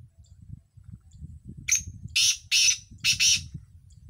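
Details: Partridge (teetar), a bird kept for home hobby, utters a brief thin note followed by three loud, scratchy, rasping bursts in quick succession over a steady low background rumble.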